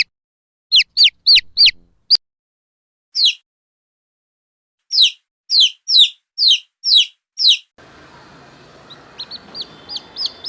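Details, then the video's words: Chicken chicks peeping: loud, shrill, sharply falling peeps, single or in quick runs with gaps between. Near the end a steady hiss of background noise rises and softer peeps continue over it. "Funny Chick Sounds Compilation"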